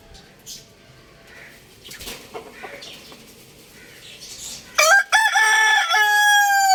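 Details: Big rooster crowing loudly: after scattered soft clucks and rustling, a sudden strong crow starts near five seconds, a sharp rising note then a long harmonic-rich sustained cry held to the end.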